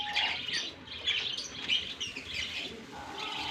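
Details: Colony of lovebirds in Germany in warm summer weather after release; quieter, blurred chorus of high twittering chirps from many birds merging together, with some low rumbling background noise.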